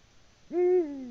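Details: Deep, steady hoot of a male Eurasian eagle-owl seeking a female, recorded by a live camera in Latvia at 18:06 on 6 March 2019; the call starts with a quick upward slur and holds a level tone, falling slightly as the clip ends.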